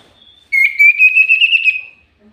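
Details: Common iora used as a lure, singing eagerly: one sustained, slightly rising whistle lasting about one and a half seconds, with a fine rapid trill running through it.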